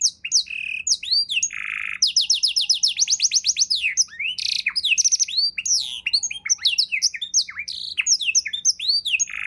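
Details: Canary singing a lavish song meant as a tutor for other songbirds: quick chirps and whistles, a fast ladder of rising trilled notes, buzzy bursts and repeated sweeping phrases in a continuous flow.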